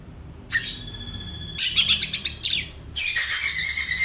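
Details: Oriental magpie-robin song imitating a house sparrow, used for tutoring other birds: a clear stacked tone, then a burst of dense scratchy chirps, ending in a loud harsh rasping phrase.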